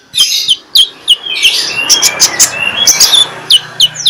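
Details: Morning magpie-robin in 'ngeplong' song, used to lure other magpie-robins to sing: clear downslurred whistles repeated about every third of a second, with some chattering notes, over a low steady hum.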